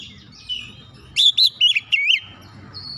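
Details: White-rumped shama song played to provoke other shamas into singing: a burst of loud, bright whistled and slurred notes around the middle, with rising and falling sweeps, preceded and followed by softer high twittering.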